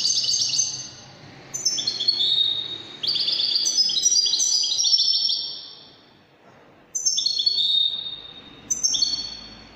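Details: European goldfinch in the Moroccan Wydani song style, a kept singing bird: long high tinkling trills with stepped, falling notes in bursts of several seconds, broken by short pauses.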